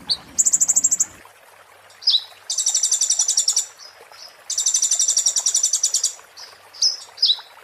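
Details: Olive-backed sunbird (konin) singing a 'muntah beling' style song used as master audio for training oriental magpie-robins and white-rumped shamas: a short high trill, then two long rapid, sharp, glassy trills separated by brief buzzy chirps, ending in quick slurred notes.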